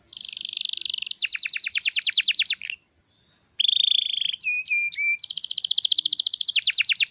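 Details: Lure song of a canary meant to make young canaries start singing. Dense high buzzy rolls and fast stacked trills run in long bursts, with a brief pause and a clear whistled note midway.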